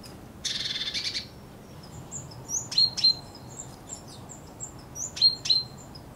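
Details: Common chaffinch (Fringilla coelebs) not singing but calling loudly right at the recorder: sharp, metallic 'pink' notes in quick pairs after a brief harsh buzzy burst; faint high twitters from other birds behind.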